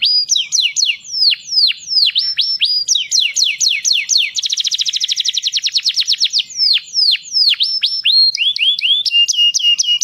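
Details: Singing canary, song used to stimulate mating: mixed swooping whistled notes, a dense fast trill in the middle, then varied rising and falling phrases and short repeated notes, clear and uninterrupted.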